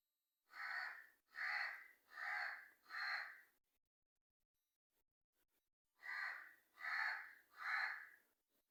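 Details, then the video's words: Black crow cawing in two bursts, four harsh evenly spaced caws, a pause of about two seconds, then three more. "Crow Sounds/Mystery Strange Sound BLACK CROW"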